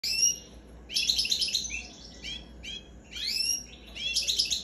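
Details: A 19-day-old European goldfinch gives bursts of thin, twittering, buzzy high chirps in quick clusters, with short pauses between bouts.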